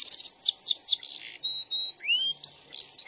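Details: SF canary giving a lively, busy rolling song. Quick descending whistled sweeps run into steady high held tones, then a rising slur and more bright sweeps, with short pauses between phrases.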